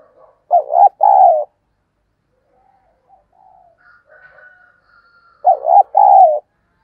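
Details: Decoy spotted dove cooing in an excited run: a phrase of stuttered notes and a long descending coo, a pause with soft murmuring and a thin whistle, then the same phrase again.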